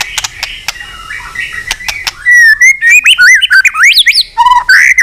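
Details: White-rumped shama song meant to provoke fighting: soft clicks and a faint whistle at first, then loud, fast, looping whistled phrases with buzzy trills and sharp chips.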